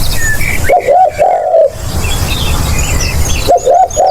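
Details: A spotted dove used to lure others coos twice: two brief hooked notes followed by a long smooth coo, then a fresh phrase starting, over light chirping from other birds.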